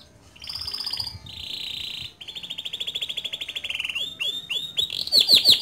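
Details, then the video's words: Male canary with gacor ngerol nembak song for tutoring young canaries: a high buzzy phrase, a lower dense roll and a long steady trill, ending in fast falling whistles and piercing high notes. "Suara Kicau Kenari Jantan Gacor Ngerol Nembak Cocok Dijadikan Masteran Kenari Muda"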